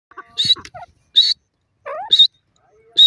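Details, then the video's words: Francolin, locally called teetar, calling with loud, harsh, short buzzy bursts repeated about once a second, with faint lower chirps and soft rustling between the calls. "partridge voice, teetar awaz"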